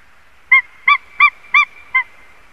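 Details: White-tailed eagle at its nest in Latvia, caught on a live nest camera: five loud, yelping notes with a clear harmonic ring, spaced about a third of a second apart, over a faint steady hum.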